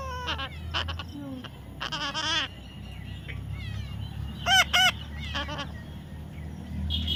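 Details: Tamed baby parrot making a run of scratchy, wavering chatter and several loud grating squawks, spaced irregularly, with steady low background noise.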